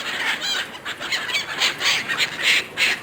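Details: Gulls fighting over food a person gives them: rapid, shrill, harsh cries from several birds, coming about three or four times a second.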